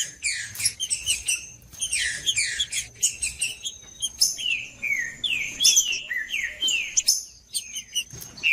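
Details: Green-winged saltator (trinca-ferro) singing in macheando style, a song meant to warm up and stimulate other males; harsh buzzy bursts alternate with loud slurred whistles dropping in pitch, in quick phrases with brief gaps.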